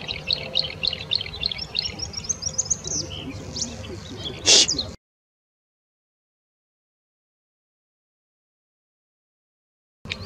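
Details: Bluethroat singing at the Offstein settling ponds: about five seconds of rapid, varied, high twittering and chirping phrases over a low rumble, with a sharp burst of noise near the end, then silence before a brief return.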